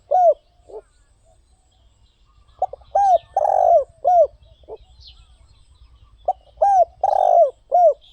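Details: Spotted dove giving two full song phrases: a soft pickup note, curved coos and a long rolling croon, repeated after a few seconds; light chirps from other birds in the background.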